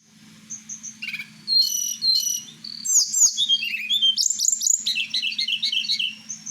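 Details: Kept blue flycatcher (tledekan Merapi) singing at night: a varied run of high whistles, short notes, and rapid twittered trills, with a steady low electrical hum throughout.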